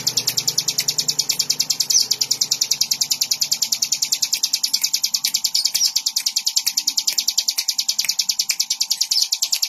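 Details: Fast, insistent high chirping of a Bar-winged prinia (ciblek), the notes pouring out in an even stream for nearly ten seconds while a steady low hum runs underneath.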